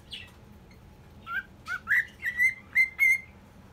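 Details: Caged pet cockatiel, recently moved into a new cage, giving short whistled notes that rise and become steadier and clearer, about six in a row, over a quiet hum.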